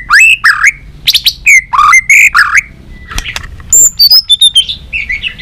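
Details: White-rumped shama in competitive song with tail flicking, varied voices; rapid series of loud rich whistles and slurred notes, followed by higher thin whistles and twittering phrases.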